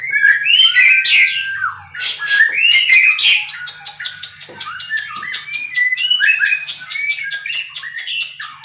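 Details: White-rumped shama from captive breeding singing fluty whistles that give way to a long series of quick dry ticks under soft warbled notes.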